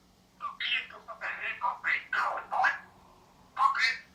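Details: A tame male vosmaeri eclectus parrot, around two years old and living free-flying in a house, produces a string of harsh, nasal, speech-like squawks in close succession, then one more after a brief pause.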